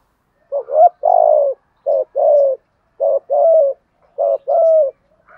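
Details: Spotted doves, male and female, cooing to stimulate contest birds in training: four low, burry coo phrases, each a short rising note followed by a longer rolling coo, repeated about every second in a quiet setting.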